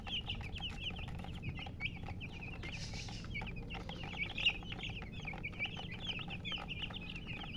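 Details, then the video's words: Baby chicks chirping: a steady stream of short, high, down-slurred peeps repeated several times a second by many birds at once, over a low background hum. "Baby "Chicks Chirping" Sound"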